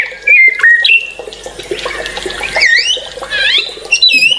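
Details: White-rumped shama singing loudly, with sharp whistled notes, a stretch of scratchy chatter, then clear upswept and downswept whistles at the end.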